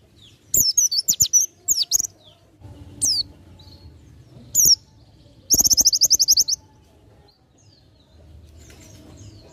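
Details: Oriental white-eye song, ngalas nembak style for tutoring: scattered high chirps and whistled slurs, then a fast, steady trill of closely packed notes, and quiet background afterward.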